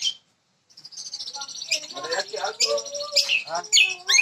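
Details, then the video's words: Jambu bird from West Nusa Tenggara, a first-place champion in Bima, singing vigorously: after a short pause, rapid varied chirps, trills and sharp whistled notes tumble out in quick succession over a steady high buzzing background. "JAMBU KACOI KARII GACOR PULL"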